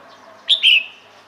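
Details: Female red-whiskered bulbul calling to draw males to her: a brief two-part call, a sharp high note followed at once by a longer, slightly falling whistled note, over faint steady background hiss.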